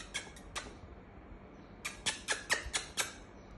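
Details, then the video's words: A Galah (rose-breasted cockatoo) gives short, harsh screeches, three spaced notes then a quicker run of five or six, with a faint room hum underneath. "Galah Parrot 🦜Galah Cockatoo-Galah - Rose Breasted Cockatoo"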